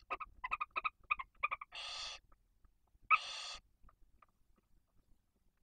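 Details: Barn owl nest in Cabañeros National Park, Spain, with a female and two chicks aged one and four days, fed on prey brought by the male. A quick series of thin chittering notes gives way to two long, harsh hisses.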